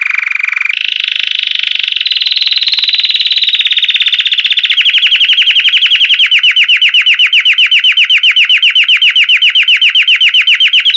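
A Belgian canary sings loud, high, continuous song: a sustained ringing trill that breaks into fast, rhythmic chirps, about four per second.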